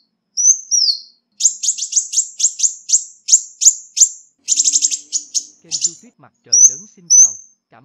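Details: Ruby-cheeked sunbird lure calls: a high downslurred whistle followed by a long run of sharp, rapid high chips, some doubled into trills, then two short whistles; faint low scraping noises near the end.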